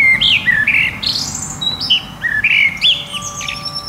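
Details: Common blackbird at sunset sings quick fluty, warbled phrases with twittery high ends over the long ringing tones of a wind chime moving in the wind.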